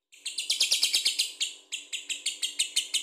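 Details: Lovebird singing a long chattering run of high, harsh, buzzy chirps repeated about three times a second, steady and rhythmic throughout, used to stir other birds into singing.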